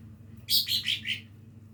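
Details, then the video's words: Lesser green leafbird learning to sing: a quick run of four bright chirped notes, each dropping a little lower in pitch, over a steady low hum. "cucak ijo mini belajar bunyi"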